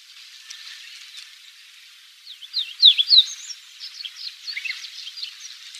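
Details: Quiet rambling subsong of a Chestnut bunting on Yonaguni Island, Japan, April 2001, among five or six migrant males, females and young perched in branches at a mountain base: thin high twitters rise to a cluster of sharp, sweeping notes midway, then scattered chirps.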